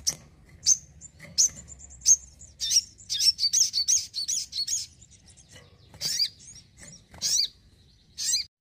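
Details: Home-kept crimson sunbird in lively song: a bright chattering run of high squeaky notes in the middle, flanked by spaced sharp chirps and short downward-slurred whistles, quiet backdrop.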